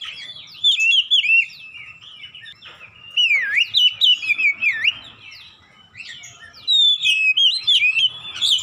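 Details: Oriental magpie-robin (kacer), a kept bird given therapy to open its beak and sing freely, delivering loud whistled phrases of rising and falling slurred notes around mid pitch in bursts, with quieter twittering between and a faint steady hum beneath.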